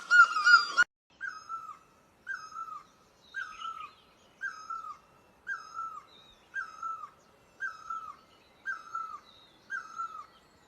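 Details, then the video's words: Great barbet, Asia: after a loud, harsh opening burst, a clean sequence of ten mellow, drooping notes follows at short, regular intervals against near-silence, with faint higher chirps between. "Great Barbet, นกตั้งล้อ"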